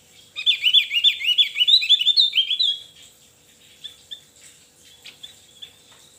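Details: Javan white-eye song: a rapid twittering string of high, thin, slurred notes for about two and a half seconds, followed by a few scattered faint chips and a steady faint hum.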